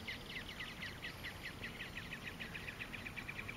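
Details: Nacunda Nighthawk (Chordeiles n. nacunda) at Porto Jofre in Brazil's Pantanal, recorded 26 September 2013. It gives a rapid, even series of short, sharp, down-slurred notes, about eight per second, over a low steady hiss.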